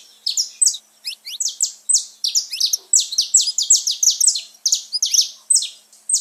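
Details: Played to rouse pet birds, this saffron finch song is a continuous, fast string of bright, high, clipped notes with descending tails, delivered without long pauses.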